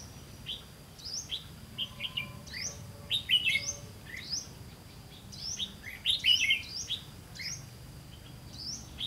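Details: Red-whiskered bulbuls during a trapping session in September 2016, a decoy bird calling to wild ones: bright high chirps and short upslurred whistles in loose bursts, with a faint steady tone and low rumbling background noise.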